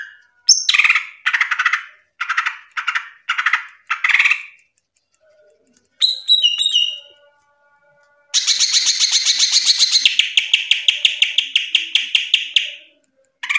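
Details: Cucak ijo, the greater green leafbird, singing a top-ranked national masteran: a series of short sharp chirping notes, a brief whistled slur, then a long rapid run of repeated high trilled notes.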